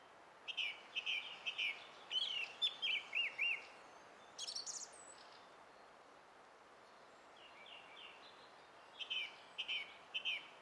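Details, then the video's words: On 20 April 2016, a bird thought to be a song thrush sings bright, whistled and chirping phrases, several repeated in quick succession, with a short pause before another burst; a faint outdoor hiss lies behind. "Kaunis ääni linnulla - Laulurastas"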